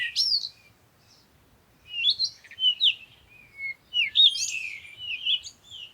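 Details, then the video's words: At sunrise, birds give a quick chirp, then a pause, then a lively run of rising and falling twittering notes that carries on to the end. "Morning Sunrise and Birds sound"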